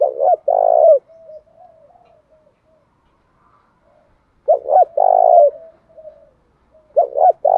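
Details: Spotted dove as big as a pigeon, giving a fight-provoking call in the thổ bầu voice style. Two full cooing phrases, a stuttered double note and a long throaty coo, separated by quiet low murmurs, then a third phrase begins.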